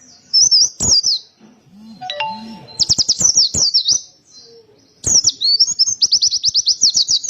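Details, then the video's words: Emotional white-eye song heard as high, sharp chirps and a fast run of rapidly repeated notes, broken by loud clicks and a few brief tonal electronic beeps. "Suara pleci gacor ngotot penuh emosi tembakan tembus"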